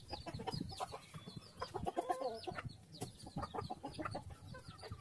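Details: Farm chickens, happy while eating food: a dense flock chorus of short low clucks and murmurs, with thin high chirps overhead and scratchy pecking sounds throughout.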